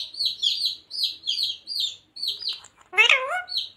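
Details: Talking parrot said to repeat phrases such as radhe radhe, jai shree ram, sita ram and mummy papa; a run of short, repeated high chirpy whistles, then one louder harmonic, voice-like rising-falling syllable near the end.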